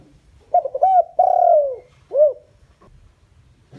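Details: Spotted dove kept as a decoy, calling to lure wild doves. One clear phrase: quick short notes, a long sliding-down coo and a short rising-falling final note, then near silence.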